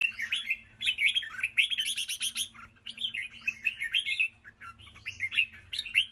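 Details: Red-whiskered bulbul singing a lively, varied run of bright chirping and warbling phrases, dense and continuous with brief pauses, over a faint low steady hum.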